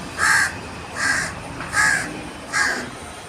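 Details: A restless crow caws again and again: four loud, rasping caws spaced roughly three-quarters of a second apart, evenly paced, with little else in the background.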